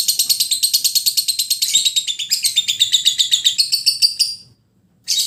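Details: Caged lovebird singing a training song for other birds to learn: a rapid, harsh, buzzy chatter of very high chirps, about eight per second, running unbroken for four seconds, then a pause and a fresh burst.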